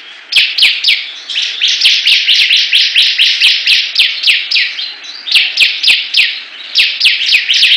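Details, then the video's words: Bar-winged prinia (ciblek) competing in song: rapid, steady train of loud downward-sweeping chirps, nearly four per second, with high ticking clicks throughout. "Perang Ciblek Gacor"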